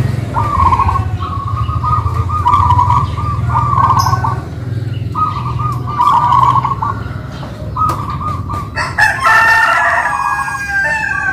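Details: Two local-type zebra doves kept by owners sing in a duet. Bursts of rolling, bubbly cooing phrases repeat several times a second over a steady low engine-like hum. A rooster-like crow joins near the end.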